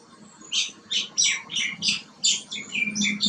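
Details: Green bee-eater calling with a series of short, high, rolling chirps, about eight bursts in just over three seconds at a brisk, slightly uneven pace, over a faint low background hum.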